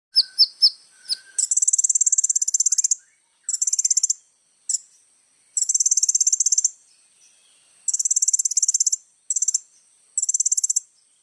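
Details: Little spiderhunter in full 'isian' song, meant as a tutor recording for other birds: a few thin notes, then several long, dense, very high buzzy trills in bursts of one to one and a half seconds, with short pauses between.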